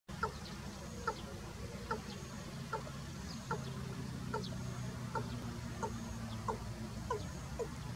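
A watercock gives a steady series of short, hollow clucking notes, roughly one per second, over a constant low rumble.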